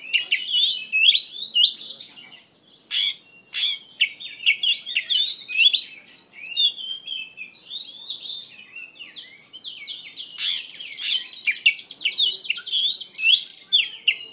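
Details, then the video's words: Kacer, or Oriental magpie-robin, singing 'gacor' with emotion: a dense, nearly unbroken stream of rapid chirps, trills and high whistled notes, with sharp louder bursts near three and eleven seconds and no other clear sounds. "KACER GACOR PENUH EMOSI"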